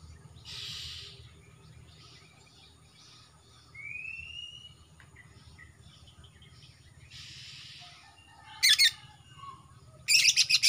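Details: Male greater green leafbird (Chloropsis sonnerati) from Kalimantan, young bird with black throat, song: scattered buzzy, hissing phrases and one clear rising whistle, then two loud, harsh rattling bursts near the end; a low hum underneath.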